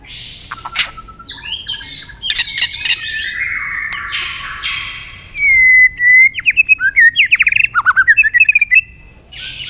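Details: White-rumped shama singing in a fighting bout: harsh buzzy notes first, then a clear whistle and a fast run of rhythmic sharp chips and warbles.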